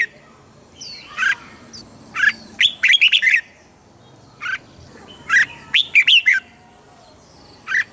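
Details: Thai caged red-whiskered bulbul song in the southern master style, used to excite birds and teach young ones. Scattered single whistles frame two lively phrases of fast, bubbly, up-and-down notes.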